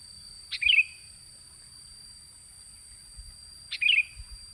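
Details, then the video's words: Sooty-headed bulbul lure sound, used to attract birds: two short, bright chirped notes about three seconds apart, each a quick downward flick, over steady high electronic tones and a low rumble. "Suara pancingan burung kutilang"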